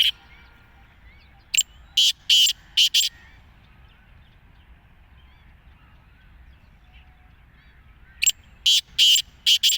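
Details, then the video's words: Black francolin, locally kala teetar, giving two rasping phrases of about five short, scratchy notes in quick rhythm, with a long quiet gap between them. "Kala Teetar Chakari Wala | Teetar ki Awaz | black francolin | Birds | چکری والا تیتر کی آواز"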